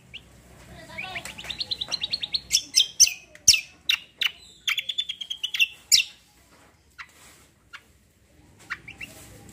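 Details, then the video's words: Cucak singing a combo roll: a rapid rising trill of clipped notes, followed by loud piercing chirps and a buzzy sustained phrase, then fading, sparse notes over faint background noise. "CUCAK KOMBO KECIAL KOMBO ROLL TEMBAK GACOR COR"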